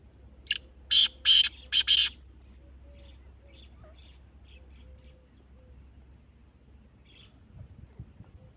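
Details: Kala teetar, the black francolin, gives a rasping series of four harsh bursts in about two seconds, then only faint distant notes over a steady low hum.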